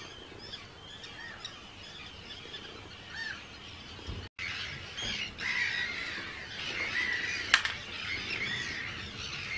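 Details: Arctic tern breeding colony, Rottumerplaat, Netherlands, 4 June 2023: a steady background of many harsh, high cries, with a brief break in the sound midway and a louder, busier stretch of calling afterwards.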